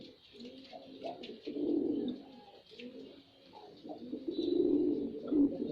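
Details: Low, burbling coos from a displaying male white pigeon, soft purring stretches rising into louder, thicker rolls.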